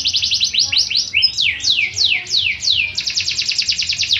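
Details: Fighting canary training song: quick trilled notes, then a run of slow, clear downward-slurred whistles, ending in a fast steady rolling trill.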